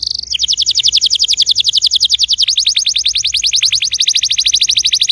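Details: Canary song played to get a quiet canary singing: a sustained rapid trill of steep repeated notes, steady and loud, barely pausing throughout.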